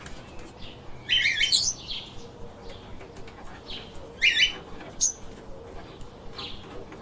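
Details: Pet lovebirds chirping: two loud bursts of shrill, scratchy notes separated by softer scattered squeaks, over a constant low background hiss.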